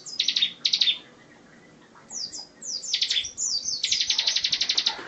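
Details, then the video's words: 'Tembakan rapat' singing of a bar-winged prinia, used to tutor songbirds: short doubled chirps, a pause, scattered downslurred high notes, then an accelerating rattle of quick sharp notes. "Ciblek tembakan rapat cocok buat isian"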